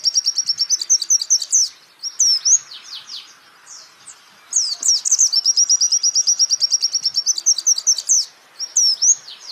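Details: White-eye song used as a master recording for training songbirds: fast, very high, even trills of rapid ticking notes alternate with bursts of sharp downslurred whistles, the trill returning after a short quieter pause.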